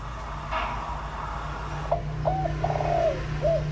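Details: Decoy spotted dove giving lure calls meant to draw in wild doves: a few soft, short hooting coos in the latter half, fairly faint over a steady low hum.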